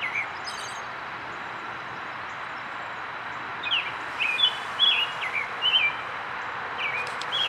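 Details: American robin sings its early-morning spring song on 12 April 2010 at Rosetta McClain Gardens, Toronto, Ontario, Canada: short, clear whistled phrases that rise and fall in a quick, halting series over a steady background hiss.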